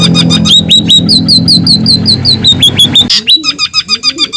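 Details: Scaly-breasted munia, original sound used to tutor cage birds: fast series of sharp chirps that shift between rising and falling shapes over a low hum, then crisper chirps with soft buzzy undertones.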